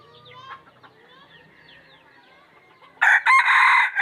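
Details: Wild red junglefowl letting out a sudden, very loud crow near the end, broken into stuttering syllables. Before it, a quieter chorus of other birds whistles and chirps in sliding notes.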